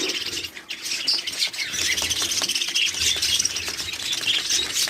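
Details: Many budgerigars at a breeding farm holding about 100 pairs in Pakistan, a dense continuous chorus of high chirps and warbling chatter from many birds at once, with occasional wing flutters.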